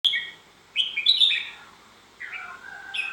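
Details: Red-whiskered bulbul singing: three short bright warbled phrases, slurred whistles stepping down through mid-high pitches, with pauses of about half a second between them and a quiet background.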